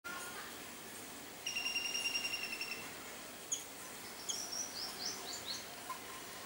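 A common babbler gives a fast, even trill of about a second, then several short, sharp high chirps over a steady hiss.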